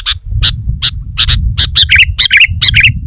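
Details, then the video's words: Sooty-headed bulbul in energetic song: sharp, clicky notes repeated about twice a second, then bubbly, downslurred warbled phrases, over a steady low rumble. "Kicau Burung Kutilang Gacor"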